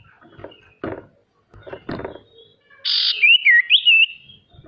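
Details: Male sirtu singing as a lure to coax reluctant birds into singing: a harsh buzzy burst followed by quick wavering whistled notes that rise and fall, after several soft low thumps and knocks.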